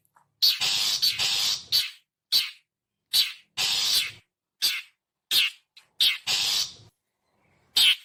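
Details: Rasping calls of a long-tailed shrike, a lure sound for wild birds: a quick run of grating screeches and short harsh chacks, roughly a dozen bursts in eight seconds, with no background noise.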